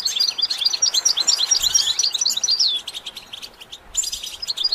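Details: Goldfinch song used for training goldfinches to sing: rapid, high-pitched twittering with liquid chirps and short trills, dense and continuous for nearly three seconds, then softer and broken, picking up again briefly near the end.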